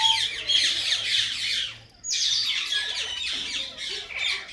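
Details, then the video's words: Tame pet common myna talking: loud, harsh, squawking bursts of high, scratchy notes, broken by a brief pause midway, with a low hum in the background. "Common Myna Talking"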